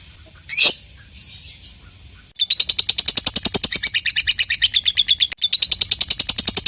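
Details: Lovebird giving its ngekek, a long chattering song used to prompt silent lovebirds to join in; two short sharp chirps, then a fast, even, high-pitched chatter of rapid pulses running on with one brief break.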